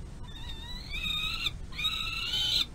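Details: Peregrine falcon eyasses at a nest box runway in late May, one still being fed by the adult female at the tail end of a large-prey dinner; drawn-out, harmonic wailing calls, two long rising cries with a brief gap between.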